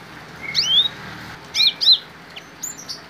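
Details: Cinereous tit, a species that adapts to human surroundings, singing with Bar-winged prinia song mixed in: clear rising whistled slurs, two quick ones close together, then thin high notes.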